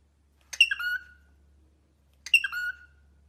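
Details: Pet cockatiel that plays on a toy swing, giving two harsh raspy calls that drop in pitch into a short whistled tail, spaced about two seconds apart, with a soft low hum.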